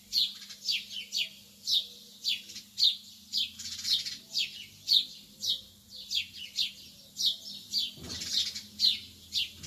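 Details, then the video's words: Lovebirds early in the morning: high, thin, sharp chirps and tweets repeated about twice a second, over a steady low hum. "تغريد طيور الحب في الصباح الباكر"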